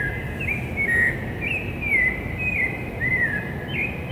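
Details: Urban rufous-bellied thrush in São Paulo, Brazil, singing in the dark before dawn, 11 September 2017: roughly a note every second, each a short warbled whistle bending up or down, with distant traffic noise underneath.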